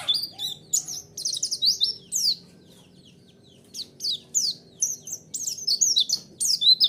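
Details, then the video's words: White-eye song used as a lure: rapid high twittering and falling chirps in dense phrases, a quiet gap of about a second and a half, then another lively burst of sharp notes. "Pancingan Suara Burung Pleci"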